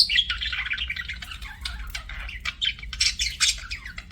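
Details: Budgie chirping: dense, scratchy chatter with squawky rasps and quick bright chirps running without pause, steady low background hum.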